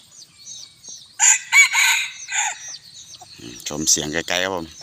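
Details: On a hot evening, a bantam rooster about a year old gives a harsh, loud crow in three bursts. A man then speaks over the last seconds.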